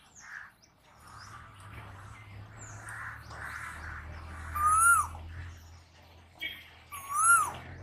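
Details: Asian koel calling: two loud, clear whistled notes about two and a half seconds apart, each rising then dipping slightly, over fainter distant bird calls and a low background hum.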